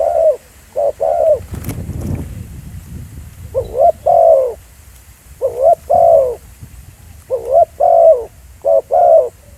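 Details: Spotted dove at Pha Sing, recorded live in the field as a decoy caller. Soft double coos come in irregular bursts separated by pauses. An early thud or knock is heard, with light low rumble throughout.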